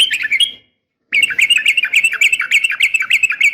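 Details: Female yellow-vented bulbul's sharp fighting call, used to make males respond: a short chirpy phrase, a brief gap, then a continuous rapid string of bright, jerky notes.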